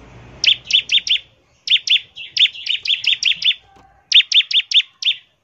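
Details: Bar-winged prinia singing in the ngebren style, a lure to make other prinias sing quickly: three bursts of four or five bright paired chirps, high and sharp, separated by brief pauses.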